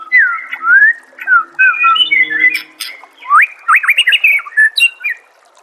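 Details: White-rumped shama master song for getting other shamas to sing: fluid whistled phrases with dipping and rising slurs, sharp high notes, then a quick series of bright looping whistles.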